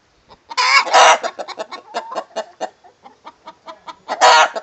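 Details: Rooster singing the egg song together with a hen: loud, harsh squawks at the start and end framing a run of rapid, evenly spaced clucks, roughly four per second.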